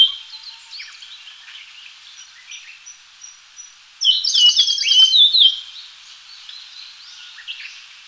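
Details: Japanese grosbeak: a loud, rapid burst of bright chattering notes and short whistles at about four to five and a half seconds, between quieter stretches of faint high chirps from other birds.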